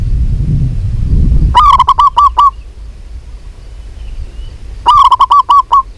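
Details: Calling female local zebra dove, aimed at a male: two bursts of five to seven fast, round cooing notes separated by a pause of about two seconds, with low rumble at the start.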